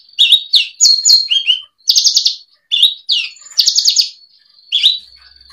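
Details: Javan bush lark singing in a 2022 tutor-song set: varied high phrases mixing falling whistles, rattling trills and buzzy notes, delivered in rapid clusters with short gaps.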